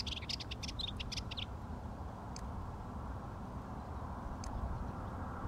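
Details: Rüppell's warbler (Curruca ruppeli), breeding, singing on the slopes of Mt Hymettus, Athens, Greece: a quick, scratchy chattering phrase lasting about a second and a half, then two lone clicking notes, over a steady low rumble of wind.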